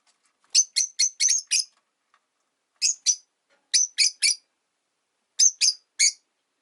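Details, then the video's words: Caged rosy-faced lovebirds, five kept in a cage by a window, giving sharp, high chirps in quick clusters of two to five notes, with short pauses between groups and otherwise quiet surroundings. "Lovebird Chirping Sounds"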